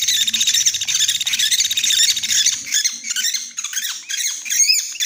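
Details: Trapping lure of Sunda pygmy woodpecker calls: a rapid, rattling high chatter that gives way to separate sharp, descending squeaky notes in the second half.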